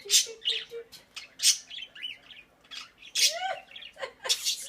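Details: Indoor pet Quaker parrot giving loud, harsh screechy squawks and rising chirps, irregularly spaced, with a few soft low pips near the start.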